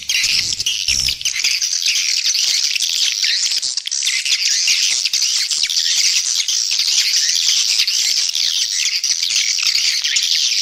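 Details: Swiftlet lure call, used to attract swiftlets and increase their population: a dense, unbroken wall of high, rapid chirps and twitters that never pauses, with a brief low thump near the start.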